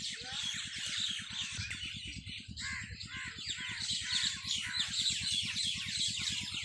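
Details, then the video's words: Many birds chattering and chirping on a farm at evening, a continuous high-pitched chorus of scratchy notes, with an engine-like low pulsing beat running underneath. "Birds singing in my farm at evning شام کے وقت پرندوں کی چہچہاٹ میرے فارم پے"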